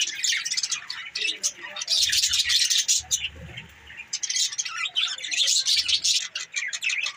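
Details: Budgerigar chatter, a dense, continuous wash of high, scratchy chirps and warbles from several birds, with faint low thumps underneath.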